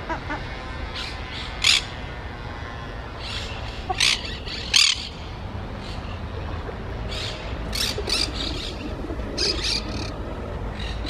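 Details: Ruddy shelduck, one of a breeding pair with two young, giving harsh, brief squawks in scattered bursts about every few seconds over a steady low rumble of wind or water.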